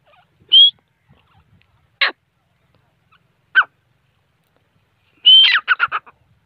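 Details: Grey francolin (teeter) giving scattered single notes: a clear whistle, then two short harsh notes, then a whistled start that runs into a quick burst of repeated clipped notes. The background is quiet.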